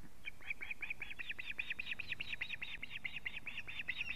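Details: Evening at a Latvian osprey nest camera, 19 July 2017, 19:43: as the male brings a living fish, steady high whistled alarm notes repeat about twice a second or faster throughout, over light background noise.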